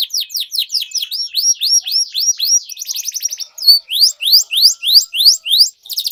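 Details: Vigorous canary song played to coax stalled canaries back into song: a run of loud arched whistled syllables about three per second, a quick buzzy trill midway, then more rising-falling notes.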